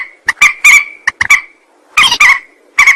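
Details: Rail call prepared as a trapping lure, made of sharp clipped notes with a steady, level tone drawn out between them, followed after a pause by louder, rougher nasal bursts.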